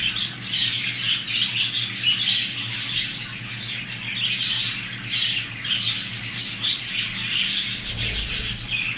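Young budgerigars give a continuous wash of high, scratchy chirps and squawks.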